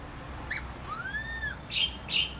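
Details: Laughingthrush voice in a brief burst: a short sharp note, then one long smooth arched whistle, followed by two harsh, buzzy notes, against light background noise.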